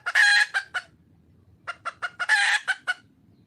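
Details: A wild red junglefowl hen calls to find a male. A loud, grating squawk is trailed by two sharp notes. After a pause comes a burst of quick clucks around a second harsh squawk, then a couple of closing clucks.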